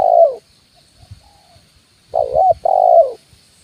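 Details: Spotted dove 'kuk 1' lure call from a branch and the ground: the tail of one phrase, then a full two-part coo, a short warbling note and a held, slightly falling one, over soft low thumps.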